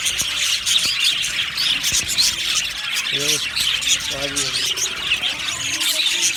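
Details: Happy budgerigars in an aviary colony, a dense, continuous wash of high chirps and warbles from many birds at once, with a few lower harmonic squawks around the middle.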